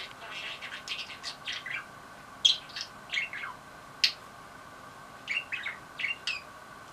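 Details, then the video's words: Budgerigar kept as a pet, worked up by a toy and uttering "I love you" (daisuki da yo): quick squeaky chirps, short downslurred whistles and scratchy syllables in uneven clusters with brief pauses, in a quiet indoor room. "セキセイインコこはく オモチャに興奮「大好きだよ」"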